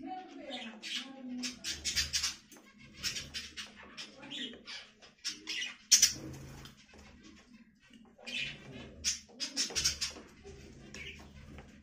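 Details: A budgerigar, a parrot, chatters in short, bright, rasping chirps, in uneven clusters with brief pauses and one sharp squeak near the middle; soft background murmur.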